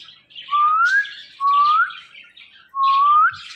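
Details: Five-year-old talking pet parrot giving three loud clear whistles, each rising smoothly over about half a second and spaced roughly a second apart, with softer chattering calls behind them.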